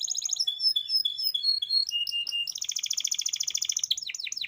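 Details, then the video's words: Canary song used as a lure to prompt young or silent canaries to start singing. Quick whistled notes give way to fast buzzy rattling trills, ending in sharp chirps. No other sounds. "kenanari paut langsung nyaut bunyi"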